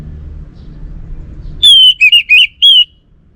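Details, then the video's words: Orange-headed thrush from North Bali, Singaraja, singing energetically: a run of five clear whistled notes around a mid-high pitch, some slurred and wavering, delivered in under two seconds over a faint low background hum. "Burung ANIS MERAH Lansung Nyaut Gacor Tanpa Henti"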